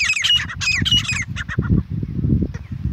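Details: A grey francolin pair calling in jungle, featuring the female's voice: harsh, squawking bursts, two loud clusters in the first second and a half, then fainter notes, over a low rumble of background noise.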